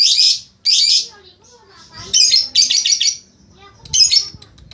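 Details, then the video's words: Lovebird in training, giving its ngekek song: two harsh, buzzy bursts, then a rapid chattering trill of about a second, ending with another short rasping burst. Faint low background noise. "Cara Melatih Lovebird Langsung Ngekek"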